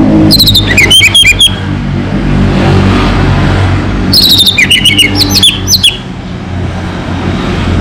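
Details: Local orange-headed thrush, called Anis Merah, delivering two energetic song bursts a few seconds apart, each a quick run of bright whistles and sharp twittering notes, with constant low mechanical hum in the background.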